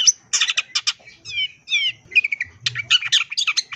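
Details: Long-tailed shrike singing energetically, its song packed with imitations: rapid bursts of scratchy chattering notes and high squeaks, with pairs of slurred, wavering whistles near the middle, delivered in quick uneven phrases with short pauses.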